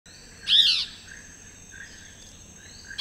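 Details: Chestnut-backed antbird in Costa Rica, recorded in January or October 2021: a single loud, arched, slightly harsh whistled note, followed by three faint lower whistles, over a steady high insect hum.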